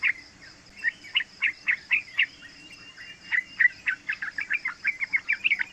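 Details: Young yellow-vented bulbul, three months old, singing a long rolling 'ropel' style phrase used to provoke and train other birds. A steady stream of quick chirped notes, about three to four per second, continues throughout.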